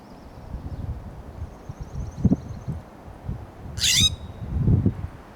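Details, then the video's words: A California scrub jay perched on a Coast Live Oak branch in Del Monte Forest, California, gives a single harsh, rasping scold; faint thin high notes from another bird and low rumbling background noise. "The Sound of California Scrub Jay"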